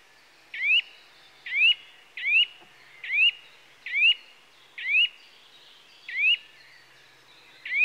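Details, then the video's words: Eurasian nuthatch (Sitta europaea) giving clear, sharply rising whistled call notes, one roughly every second, about ten in a row, over faint background hiss. "Nuthatch Calls"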